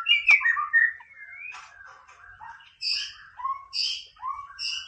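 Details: White-rumped shama singing the 'Boomerang' tutor song that provokes rivals: a loud sharp click and whistled slurs, a soft sustained warble, then repeated pairs of high notes over low rising whistles.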